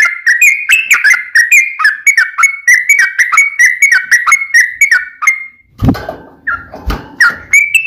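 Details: Sooty-headed bulbul fighting song used to provoke other birds to sing: bright whistled two-note phrases near the same pitch, repeated rapidly for five seconds, then a pause with a low thump and a few further phrases.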